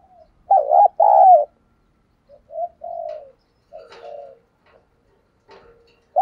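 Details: Decoy spotted dove of the 'thổ' voice style calling to lure and challenge wild doves; two loud hollow coos, then softer scattered coo fragments with sharp clicks and knocks between them.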